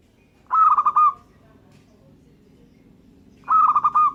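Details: Local zebra dove singing: two rhythmic cooing phrases of stuttered, pulsed mid-pitched notes ending in a sustained coo, separated by about three seconds of quiet over a low background hum.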